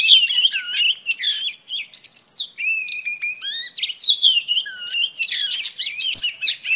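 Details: Oriental Magpie Robin female singing to excite males, a continuous stream of sweet whistles, sliding notes and rapid twittering trills that shift constantly in pitch.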